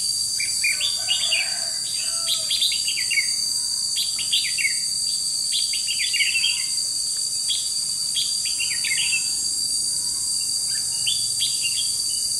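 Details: Red-whiskered bulbul kept as a decoy bird for trapping, recorded 21 July 2016: bursts of short, bright warbled notes, rising and falling, repeated in quick phrases throughout, over a loud, steady high-pitched insect drone.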